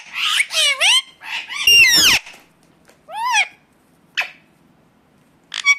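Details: {'caption': 'Ringneck parakeet giving a few raspy screeches, one loud and broad, followed by a single swooping call and two short sharp chips separated by quiet gaps.'}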